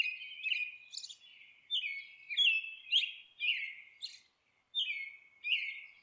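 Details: At its nest, a monk parakeet utters repeated scratchy, screeching calls with falling tails, uneven in spacing, with one short silence before the harsh chatter picks up again.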